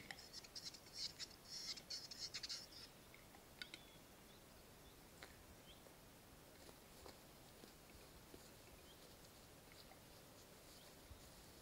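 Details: Western capercaillie, the dominant male at a lek in Norwegian forest on 20 April 2020, during mating display: a short run of dry scraping and grinding notes, then scattered faint clicks against quiet hiss.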